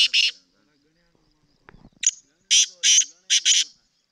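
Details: One harsh grating note from a Sindhi black francolin, a pause with a soft rustle, then a short thin note leading into three loud rasping notes, the last two paired.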